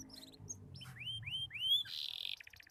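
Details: Young canary learning its song: a few soft chirps, then three rising slurred whistles in a row, followed by a harsh buzzy note and a short clipped rattle.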